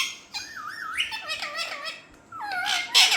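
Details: Parrots indoors saying "Mithu": wavering, voice-like mimicked syllables with sliding pitch, overlapping squawks, and a louder harsh squawk at the end.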